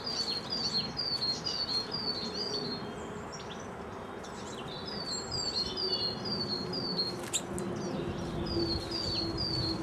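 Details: Uncommon visiting lesser redpolls at feeders in West Wellow, Hampshire: quick bursts of sharp, high, falling notes, about two per second, broken by short pauses, over a low hum and constant outdoor noise.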